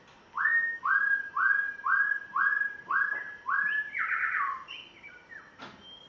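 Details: Spotted morning-thrush (Cichladusa guttata) from Tanzania, on his first day at home, sings a run of seven clear, slightly rising whistles, about two per second, then higher varied phrases; a brief click near the end.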